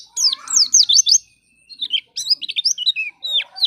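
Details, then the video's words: White-eye singing as a lure for other white-eyes: quick high whistles sweeping downward, a short pause, then a varied twittering sequence of thinner, lower chirps and slurs. "Pancingan Pleci Paling Handal Bikin Pleci Bahan Cepat Bunyi"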